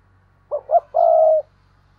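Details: Decoy spotted dove's luring call: a pair of soft rising hoots and then one sustained, gently descending coo, loud and close with little else audible.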